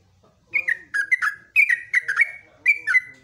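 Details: Yellow-vented bulbul in lively morning song: bright, gurgling two- and three-note phrases with slurred downward whistles, delivered in quick bursts about every half second over a quiet background.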